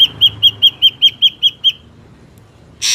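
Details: Ashy drongo, wild, used as a lure for trapping: about nine clear ringing whistled notes in quick even series, then a single harsh rasp.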